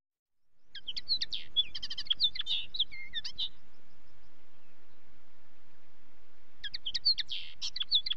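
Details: Common linnet song: a three-second run of quick, high twittering notes and short warbled slurs, a pause of silence, then the twittering starts again.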